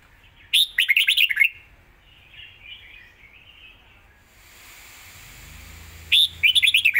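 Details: Rapid fast-beak song from a red-whiskered bulbul: a loud, tumbling run of slurred whistles, softer fainter warbling in between, then another quick bright phrase begins at the close.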